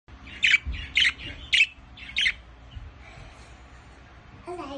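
A budgerigar gives bright, scratchy chirps, repeated about twice a second, with a voice speaking at the end.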